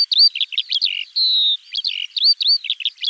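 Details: Eurasian skylark in spring pouring out a varied warble of twisting chirps and slurred notes around one long even whistle, fast and continuous.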